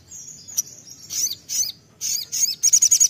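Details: Lure recording of sunbird song meant to make other birds sing: thin high chirps, short swooping notes, then a fast run of evenly spaced ticking notes at the end.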